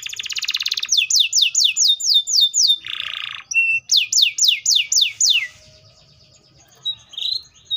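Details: Canary song opening with a harsh buzzy burst, then a run of quick downslurred notes, about six per second. A rasping phrase interrupts it, a second downslurred series follows, and a quiet gap ends with scattered chips.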